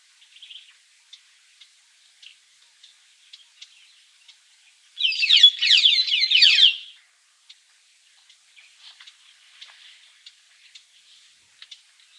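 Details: A White-headed buffalo weaver, recorded in Meru National Park, Kenya, sings a two-second burst of fast, high, squeaky chattering notes.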